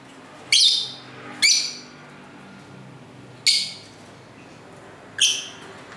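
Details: Home lovebirds calling to each other, taped with an internal camera microphone: four piercing, raspy high chirps at irregular gaps of one to two seconds, over faint traffic rumble.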